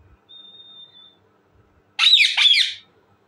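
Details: Indian ringneck parakeet, described as talking: a soft, thin, level whistle, a short silence, then two loud, raspy squawks in quick succession.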